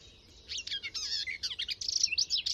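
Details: Garden warbler singing from deep within a hedgerow, recorded with a Sound Devices MixPre 6 II and Telinga parabola: a quiet start, then a rapid run of warbled, chattering notes in full tone with no pause, steady to the end.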